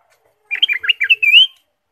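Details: A ruby-throated bulbul delivers a varied, lively song phrase used to stimulate caged birds: rapid liquid warbles that climb into a clear upslurred whistle, with no other sounds.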